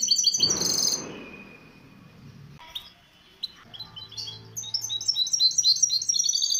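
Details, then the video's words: Misto hybrid canary song played as a training recording for young birds: a loud broadband rush at the start, a quiet gap, then fast high chirps and rapid trills building toward the end. "شريط طائر الميستو الهجين للتحفيظ الفراخ"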